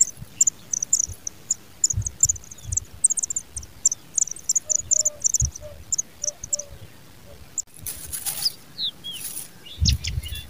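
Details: Pipit, apparently a parent working hard to feed its young, gives thin, very high chirps repeated rapidly for about seven seconds with a few soft lower notes between, then a burst of rustling or fluttering.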